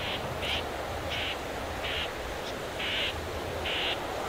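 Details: Well-grown Common whitethroat (Sylvia communis) nestlings on their last day in a nest near a river, hidden under reeds and nettles, resting. They give six short, hissy, high begging bursts about every three-quarters of a second over a low hum.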